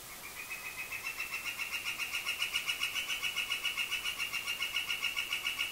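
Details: Northern flicker calling from a bird house roof while marking his territory and seeking a mate: a long, steady run of rapid, evenly spaced high notes, about three to four per second, slowly growing louder.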